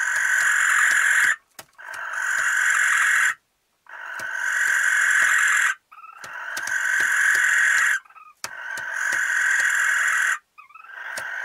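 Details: Barn owl of a pair in a nesting box for the first time, Recke, Germany, 13 May 2021: long, harsh, breathy hisses of one to two seconds, about every two seconds, with faint clicks between.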